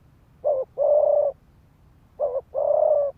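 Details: Two quick cooing phrases from a decoy spotted dove, each a brief note followed by a longer, level, throaty coo. This rapid 'thúc gù' calling is used to excite males to fight.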